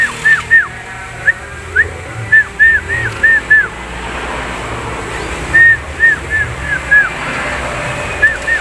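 Javan myna giving clear whistled notes, each arching up then down, in quick runs of three to six, with a steady low background hum.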